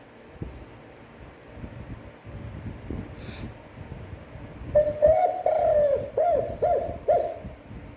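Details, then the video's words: Spotted dove cooing, used to stimulate and train decoy birds: after several seconds of rustling and knocking background noise, a series of about seven low, rounded coos repeats quickly in a run. "Tiếng chim cu gáy chuẩn (kích bổi, hơi dài, giọng hấp dẫn, luyện bổi mỗi ngày)"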